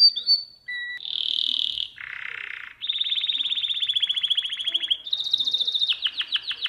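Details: A domestic canary song recording for teaching young canaries: a continuous, high run of tours with brief whistles, a bright rolling trill, a buzzy lower trill, then rapid rattling pulses.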